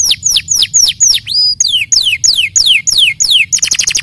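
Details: Canary song of repeated loud downward-swooping whistled notes, about three per second, with one looping note midway and a fast rattling flourish at the end.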